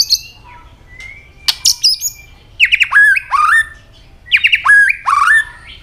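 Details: Fighting song of a white-rumped shama flicking its tail with clicks. A thin whistle and a few clicks lead into loud, rich slurred phrases with sweeping notes, repeated twice.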